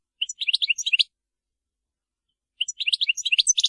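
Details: European goldfinch singing in the Maliki style without errors: two short, fairly soft bursts of quick tinkling twitters separated by about a second and a half of silence.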